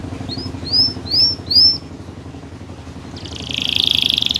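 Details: Canary singing to prompt other canaries into song: four rising-then-falling whistled slurs, a pause, then a soft high buzzy trill building at the end, over faint background noise.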